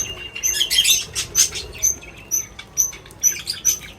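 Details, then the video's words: Wild birds at a feeding spot, filmed as entertainment for cats: sharp high chirps repeated in quick irregular bursts, about two a second, with soft rustling and wing flutters between calls. "Birds Chirping Sounds"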